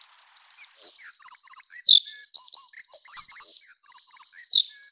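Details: Plumbeous redstart of the endemic Taiwan subspecies, a stream-dwelling bird; after half a second of silence a fast, unbroken sequence of high thin squeaks, chips and brief trills runs to the end.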